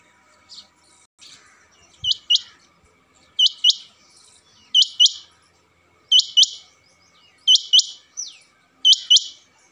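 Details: Male rain quail calling, a crisp, high two-note phrase of sharp downward-slurred whistles, repeated steadily about every one and a half seconds against a faint constant hum.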